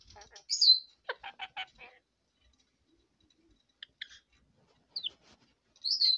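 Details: Pet red lorikeet, a female, chattering at bedtime: a piercing downslurred squeal, then a quick run of four or five nasal harmonic chirps, a pause, scattered short squeaks, and a final shrill screech.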